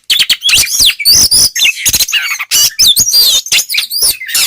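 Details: Provocation song of a white-rumped shama, aimed at making other shamas angry: fast, varied whistles, rolling trills and harsh clicks tumbling one after another in a loud, crowded sequence.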